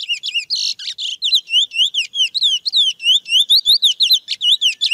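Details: Wild chestnut-bellied seed finch singing its natural song: a rich, fluty string of rapid slurred whistles, looping up and down in quick repeated phrases, with no other sounds.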